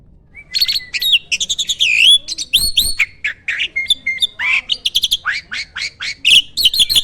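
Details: Starling singing in full, lively voice, packed with varied fill-in phrases: a fast run of clear whistles, slurred rising and falling notes, sharp chirps and buzzy trills, all high-pitched and delivered in quick bursts with brief gaps.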